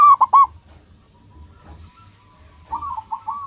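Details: Local zebra dove used as a lure: a brief, loud burst of three rapid coos, a quiet stretch with faint low pulsing noise, then a softer rolling cooing phrase at the end.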